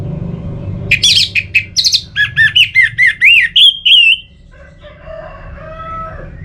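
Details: Song of an orange-headed thrush, played to stimulate singing in either season: a lively sequence of about twelve quick whistled and chirped notes, slurring up and down, followed by quieter soft whistles and low hum.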